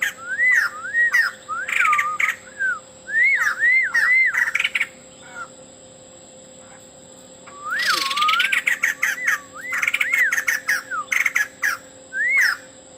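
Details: White-crested laughingthrush male in lively song packed with mimicked phrases: runs of wavy whistles alternating with sharp rattling bursts, a quiet pause mid-clip, then a loud harsh chatter before the whistling resumes.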